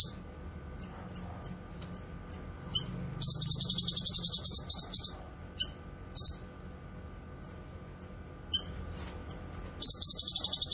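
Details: Grey-cheeked bulbul (cucak kinoy) song used for training songbirds and luring wild birds: high, thin chirps spaced apart, alternating with fast, buzzy, rattling trills.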